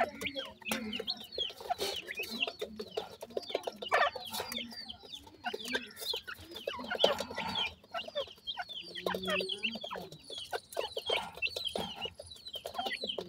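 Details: Grey francolin family with chicks feeding: a dense stream of thin, high, downslurred peeps from several chicks overlaps softer low clucks and frequent scratchy clicks, continuing steadily throughout.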